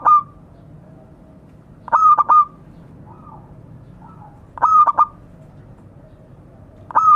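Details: Zebra dove of a local strain calling to its companions. Staccato cooing phrases of two or three pulses and a ringing note come roughly every two and a half seconds, with faint answering coos in the gaps.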